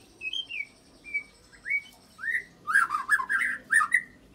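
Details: White-rumped shama song used to make other shamas sing, with mimicked cililin and canary fill: short clear whistled notes rising and slurring, spaced out at first, then quicker, richer warbled phrases.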